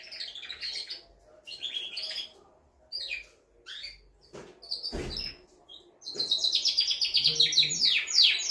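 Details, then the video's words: Canary cock singing to stimulate a hen to mate, used as tutor song for chicks. Short chirpy bursts are separated by gaps and a few sharp clicks, building into a long, loud, fast rolling trill. "تغريد طائر كناري جبار يحفز الذكر ويهيج الأنثي لتزاوج"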